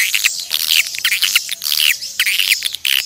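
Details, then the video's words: Natural swiftlet calling, meant to attract swiftlets: rapid high chirps and buzzy twitters in clustered bursts, several birds overlapping, with short gaps between flurries. "SUARA PANGGIL BURUNG WALET ASLI DARI ALAM"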